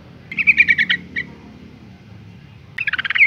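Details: Breeding female Yellow-vented Bulbul calling males: a fast string of about seven bright chirps, a lone follow-up note, then after a pause another rapid chattering run.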